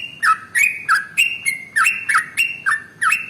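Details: A male yellow-vented bulbul's fast 'ropel' song, used as a lure: nine loud slurred notes in about three seconds, each a quick rising whistle topped by a sharp click.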